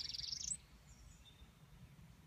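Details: A returning Northern parula gives a short, rising buzzy trill that climbs steeply and ends abruptly after half a second, followed by quiet with a faint low rumble.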